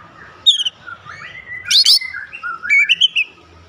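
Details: Oriental magpie-robin singing in full voice, used to prompt other birds to sing: a varied run of clear whistles, sliding notes and sharp chirps, mixed with a quick high burst in the middle.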